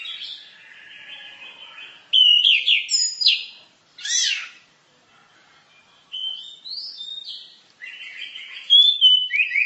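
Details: Orange-headed thrush 'masteran' song with varied phrases: a faint warble, loud whistled slurs, a harsh meow-like burst, a silent gap, then rapid bright rising and falling notes.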